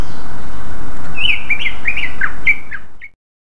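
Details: Lure song of a greater green leafbird in ngeplong style, meant to prompt other leafbirds to answer: a brief run of bright slurred chirps in quick succession over heavy hiss, ending abruptly.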